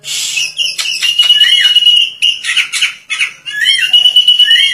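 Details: Oriental magpie-robin singing vigorously while spreading its tail wide: loud, varied whistled phrases with long sustained high notes and quick rising and falling slurs, packed with short chattering bursts.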